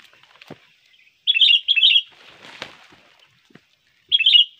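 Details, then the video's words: Sooty-headed bulbul song for luring birds. Two quick bubbly phrases run close together, followed by rustling and a wing-flap-like burst, then one more warbled phrase near the end. "pikat burung kutilang Bagus gacor ampuh"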